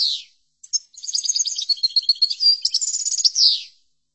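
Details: Goldfinch song in the chordonier style, recorded for training. A short sweeping note and a faint chip come first, then a dense run of fast, high, tinkling twitters ending in a descending slurred note. The background is silent.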